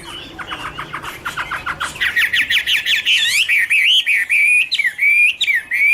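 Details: Garrulax canorus in 2016 opens with a quick series of short descending notes, then shifts to louder rising and falling whistled phrases separated by brief pauses.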